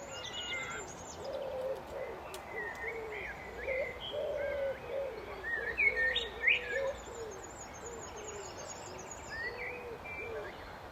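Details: Common blackbird singing: fluting, warbled phrases with rising and falling notes and thin high twitters, given in short bursts, over a steady series of low, soft hooting coos repeated throughout.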